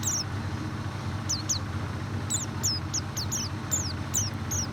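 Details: White-eye sounds played as a lure for a bird that is slow to sing: sharp, high, downward-sweeping chirps in quick pairs and short clusters, over a loud continuous low engine-like hum.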